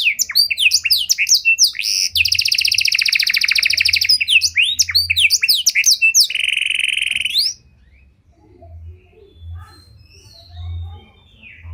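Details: Panda canary with a luxurious cengkok song style, used as a lure to provoke and train other canaries: rapid varied chirps, a long buzzy trill, then a steady rolling trill before the song cuts off into near silence.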